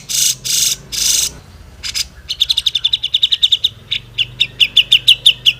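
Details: Energetic grey-cheeked bulbul song opening with three long harsh rasping bursts, followed by a rapid rattling series of crisp, clipped chirps, a short gap, then a second slightly slower chirp series.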